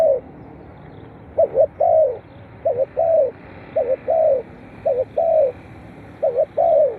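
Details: Repeated spotted dove cooing for stimulating captive birds: about six back-to-back phrases, each two clipped hoots and a longer falling note, delivered quickly and evenly.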